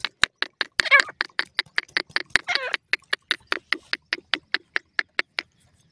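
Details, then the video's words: Sindhi grey teetar, the grey francolin, giving a continuous run of quick, harsh, grating notes, about four per second, with two brief wavering, rasping sounds mixed in early on, then fading out at the close. "sindhi grey teetar feeding,partridge bird songs"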